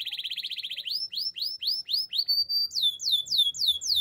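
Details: Belgian canary giving its powerful training song: a rapid, even trill, then evenly spaced rising whistled swoops that switch to a higher, faster series.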